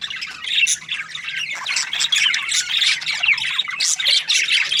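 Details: Several budgies keep up dense, nonstop chatter of harsh squawks and quick high chirps, overlapping with no pauses throughout.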